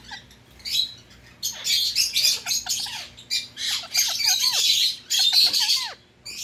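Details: Pet Indian ring-necked parrot screeches in a run of harsh, grating squawks, several ending in short down-slurred notes, coming in bursts of two or three with brief pauses.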